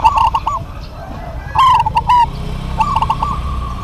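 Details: Local zebra doves duetting busily, one answering the other: short trilled coo phrases, then a louder rolling burst with crisp clicks, and a further soft quavering phrase, low rumble beneath.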